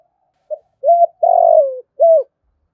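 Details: A single calling phrase from a decoy spotted dove used to attract wild doves: a faint pip, a smooth coo, a long trembling note falling in pitch, then a final rounded coo.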